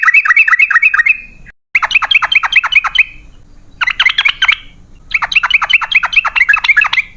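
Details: Sooty-headed bulbul, gacor ropel style lure for caged birds: repeated bursts of quick, downward-swooping chattering notes, several phrases separated by brief silences.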